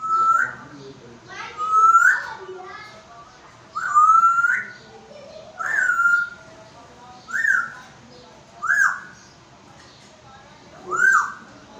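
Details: Talking African grey parrot kept in Pakistan whistles in a steady series of seven loud notes over about eleven seconds, each a short rising whistle ending in an upward flick, with brief chattering sounds between the first ones.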